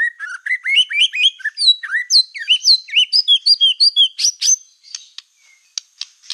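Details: White-rumped shama with a black tail, singing to provoke other shamas: a fast run of rising and falling whistled slurs, steadily repeated, climbing higher before giving way to sparse sharp ticking notes.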